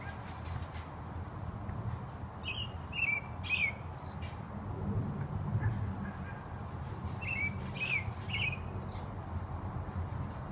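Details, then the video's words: An American robin sings very loudly at about 5 pm: two short bursts of clear, slurred caroling phrases a few seconds apart over a steady low rumble. "American Robin singing"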